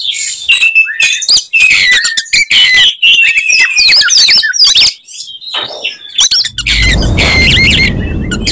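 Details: Singing Oriental magpie-robin in fighting mood, delivering a provocative song of rapid, varied whistles, chatters and buzzy phrases packed closely together; toward the end a broad rushing noise rises beneath the high notes.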